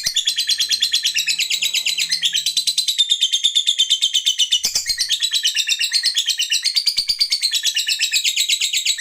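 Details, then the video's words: Pet lovebird giving a very long continuous chattering trill, rapid shrill notes pulsing steadily for the whole stretch, indoors with faint thumps. "burung lovebird kesayangan kicau mania ngekeknya panjangbanget"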